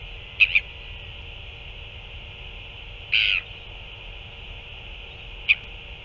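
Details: Recorded 9 February 2024 while an adult Northern royal albatross fed a chick: a brief double click-like chirp, then one longer buzzy harmonic call, and a final sharp chirp, over steady hiss.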